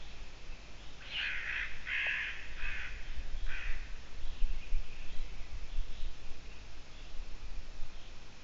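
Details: A Eurasian eagle-owl on the edge in the evening around 20:28 on 6 June 2017 gives four harsh, hoarse rasping bursts in quick succession, then fainter rasps, over a steady low rumble of wind or distant traffic.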